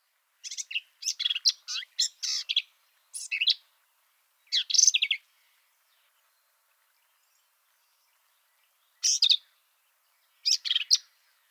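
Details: Black-capped Vireo song recorded at Kickapoo Cavern State Park, Texas: short, quick, scratchy chattering phrases of varied high notes, sung in bursts with pauses of one to four seconds between them, in a quiet background.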